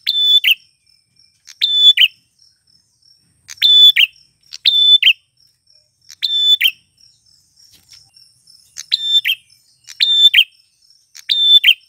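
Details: Male prinia singing, played to lure wild females: short phrases of a clear high whistled note ending in a buzzy flourish, repeated every one to two seconds with silent gaps between.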